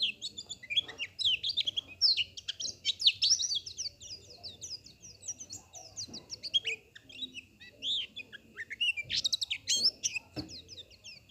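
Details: White-eye singing a long, rapid, jumbled twitter of thin high chirps and quick slurred notes, bursting louder near the start and again toward the end, over a steady faint background whine.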